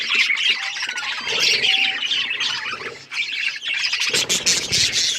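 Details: Budgerigars in breeding condition chatter loudly, giving rapid overlapping chirps, squawks and a few drawn-out whistled notes, with a noisy rustle near the end.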